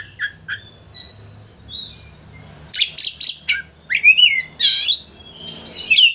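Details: Oriental magpie-robin singing hard to stir up a rival and make it spread its tail: clear whistled notes at first, then louder mixed phrases of harsh rasping bursts and slurred, rising whistles, faint low hum underneath.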